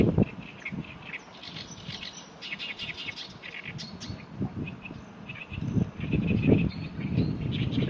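Oriental reed warbler giving harsh, grating chattering phrases in quick uneven bursts, partly buried under heavy low wind rumble.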